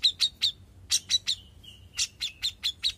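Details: A young grey-cheeked bulbul gives bright, ringing chips in short groups. The groups are linked by a thin drawn-out whistle, then the rapid chips resume.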